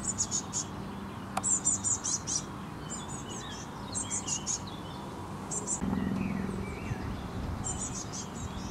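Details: Eurasian blue tit fledgling waiting in bushes for food, giving thin, very high chirps in quick bursts of three to five notes, with pauses between bursts; low rumbling background noise.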